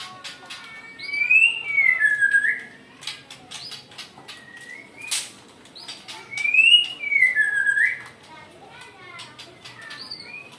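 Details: Angry caged-style White-rumped shama singing: loud, slurred whistled phrases that swoop down in pitch, two main phrases about five seconds apart, mixed with sharp clicks and ticking notes over a quiet background.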